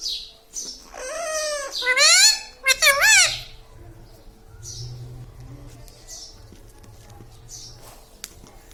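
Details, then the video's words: Talking parrot voicing word-like sounds: several loud, harmonic, rising-and-falling utterances crowded into the first three seconds, then a quiet indoor room with faint squeaks. "Talking Parrot"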